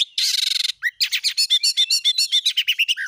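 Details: Lure song of an oriental magpie-robin, 'gacor nembak' style, to rouse other magpie-robins; a harsh buzzy burst, then a fast even series of about twenty sharp chattering notes.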